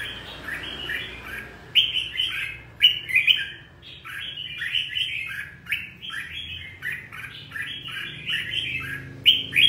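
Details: Red-whiskered bulbul of the 'ché' type, in fired-up 'căng lửa' form, singing a steady run of short, liquid whistled phrases that rise and fall, with louder bright notes breaking in every second or so over a low hum.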